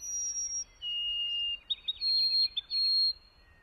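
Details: White-throated Sparrow singing, a familiar sound of spring migration and northern woods: a clear whistled opening note, a held lower whistle, then a fast stuttering series of short notes and a final high sustained whistle.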